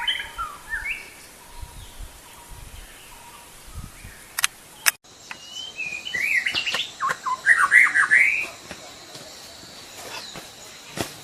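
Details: White-rumped shama of the Sumatran variety, singing vigorously: after a few faint early notes and sharp clicks, a loud burst of varied, fast warbled phrases mid-clip, then quieter rural background.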